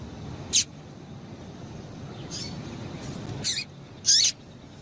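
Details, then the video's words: Female double-collared seedeater giving its 'tui tui' call, used to excite the male: three short, sharp, high chips, each with a brief downward slide, spaced irregularly over a few seconds above a low, steady background hum. "Piado de Fêmea de Coleiro Quente para Esquentar Coleiro tui tui"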